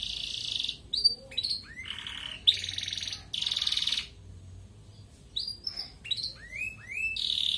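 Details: Red canary song, a singer used to stimulate breeding desire in hens, with loud sustained rattling trills alternating with rising whistled and upslurred notes, separated by short pauses.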